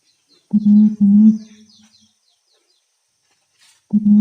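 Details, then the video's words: Deep booming imperial pigeon call from the Mount Rinjani forest on Lombok, Indonesia: two low, hollow, sustained notes in quick succession, trailing off, then silence before the same low call starts again. "SUARA BURUNG PERGAM DI HUTAN GUNUNG RINJANI (DAWE KEDUIT)"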